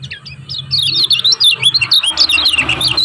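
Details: Lombok kecial kuning in 'ciak ciak' mode, used as a lure to set other birds singing: a dense, fast run of high, bright twittering chirps and squeaky slurred notes over a faint low hum.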